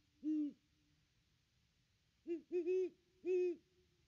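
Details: A pair of Great Horned Owls at their nest tree, Christmas 2021, on a nest camera: one lone low hoot, a long pause, then a quick cluster of three or four hoots.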